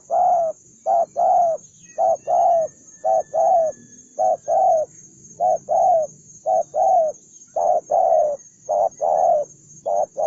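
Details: Spotted dove, one fiercely aggressive bird, cooing in a long run of paired notes, short then drawn-out and hoarse, repeated roughly every second in a steady rhythm over a faint high continuous hiss.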